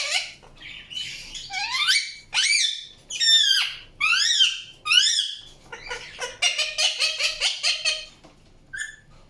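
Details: Indian ringneck parakeet chirping: a run of loud, harmonic upswept notes rising sharply in pitch, then a rapid stuttering series of short chattering calls near the end, with a brief high squeak closing.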